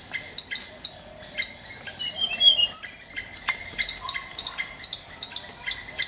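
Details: Tickell's blue flycatcher singing in the wild in Sri Lanka: a run of thin, high, sweet whistled notes stepping downward, set against steady, sharp, rapid clicking from other creatures and a faint constant tone.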